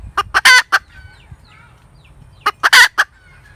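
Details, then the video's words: A hen gives two short cackle phrases, a few clipped clucks then a loud stretched squawk, with faint thin chirps in the gap. "ສຽງໄກ່ແມ່ກະຕາກ suab poj qaib tsauj zoo"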